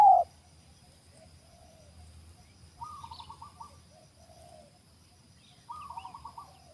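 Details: Wild spotted dove, known locally as terkukur, recorded where a newly caught bird is being taught a trapping yard: a sharp loud click, then two faint series of soft, rapidly pulsed coos about three seconds apart over a low rumble.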